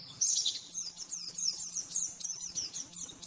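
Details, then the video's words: Oriental white-eye (pleci) in the rapid nembak-nembak style, used as a master song for training caged birds: high, thin twittering trills flickering up and down in quick bursts, with a faint low electrical hum underneath. "Masteran burung pleci nembak-nembak"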